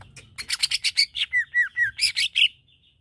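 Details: Greater green leafbird singing to provoke aggression in other leafbirds. Rasping chattered notes lead into a series of clear, downslurred whistles, then closing harsh bursts and a short high note.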